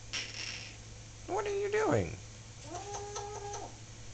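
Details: Solomon Island Eclectus parrot, a pet talking bird, mimicking human speech: two short harmonic phrases with wavering, voice-like tones, the first sliding down steeply, the second held level, while a person talks to it nearby.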